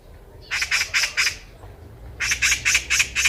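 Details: Eurasian magpie heard by chance on a walking path in Korea, calling loudly enough to ring around: two bursts of harsh, rattling chatter, about four then six rapid squawks, separated by a short pause.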